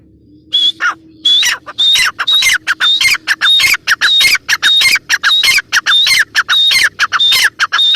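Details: A female grey francolin (teetar) calls without a break, a fast train of harsh, scratchy notes, each topped by a clear high whistle, about a hundred per minute over a low background drone.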